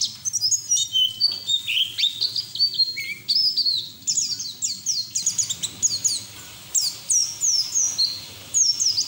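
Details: Continuous ngeriwik song of a white-eye, ngalas fashion, used to coax untrained birds into singing; quick descending whistled notes, a few lower slides, then bright repeated high chirps.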